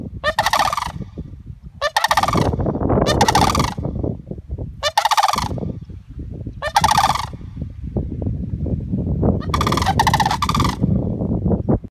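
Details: Sandhill cranes squawking at Savannas Recreational Area in Florida: loud, rolling, trumpeting rattles in bursts of about a second, repeated every one to three seconds, with heavy rumbling wind or handling noise between them.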